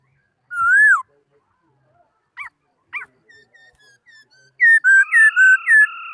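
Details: Laughingthrush song, 2018: one long downslurred whistle, two short sharp notes, quiet scattered chatter, then a rapid burst of loud overlapping whistled phrases.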